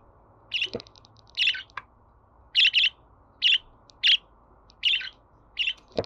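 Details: Budgerigar chirping for a pet budgie to hear and answer: a steady run of loud, buzzy high chirps, some in quick pairs, roughly one every half second to second, with a few soft knocks.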